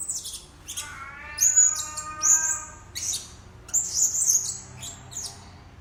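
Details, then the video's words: Blue-crowned hanging parrot lure calls meant to attract birds: repeated very high thin whistles and sharp buzzy chirps in bursts, with a lower, steady harmonic tone underneath early on. "Suara-Suara Denak Pemikat Burung Serindit Dada Merah"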